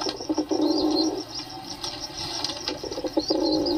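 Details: Pigeons utter a throaty, low rolling coo at the start and another near the end, with a quieter stretch between. High, thin chirps of other birds are heard throughout.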